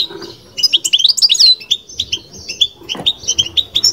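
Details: A kept European goldfinch sings batbata style: after a quiet start, loud sweeping liquid notes and tinkling twitters, then quick repeated chips and a short trill, one low thump near the end.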